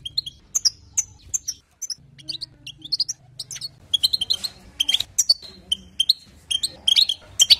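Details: European goldfinch song used to excite other goldfinches: scattered high chirps at first, growing into dense, rapid twittering, with a low hum underneath.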